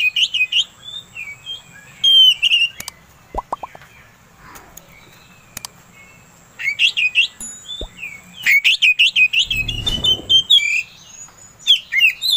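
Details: Oriental magpie-robin song played to stir another bird into singing: scattered whistled phrases, then a long fast series of rising chattering notes near the end, with a few clicks and a low thump between.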